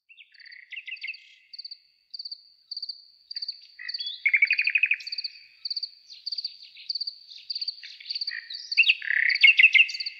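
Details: Nightingale singing at night in a forest: varied phrases of rapid repeated notes, a loud buzzy trill and sharp rising whistles, over a steady high insect chirping pulsing about twice a second.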